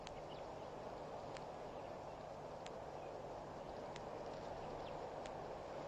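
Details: At Pete's Pond waterhole on Botswana's Mashatu Game Reserve, a blacksmith plover gives short, bright metallic clicks roughly every second or more, around 2:04 PM on 20 October 2012, over steady low rushing noise.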